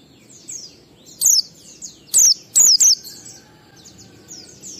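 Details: Lure recording of an Oriental white-eye in ngalas style for prompting caged birds to sing: one isolated thin descending whistle, then two and three more piercing downslurred notes in quick succession, over a quiet background with faint chirps.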